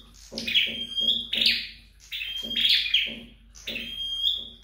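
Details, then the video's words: Home-trained flowerpecker singing buzzy phrases with long, thin high whistles, over a rhythmic series of low tapping knocks. "Dợt Sâu Đầu Đỏ Tại Nhà"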